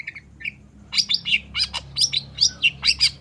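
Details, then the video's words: Long-tailed shrike singing hard, used to stir quiet shrikes to respond: a few soft chirps, then a quick, regular series of loud, harsh, buzzy notes about four per second. "SUARA CENDET GACOR"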